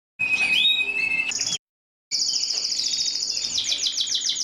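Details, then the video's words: Mosaic canary sounding a whistled slur and then a high trill. After a short silence comes a long, fast, evenly pulsed high rattle. "تغريد الكناري موزايك مالتي"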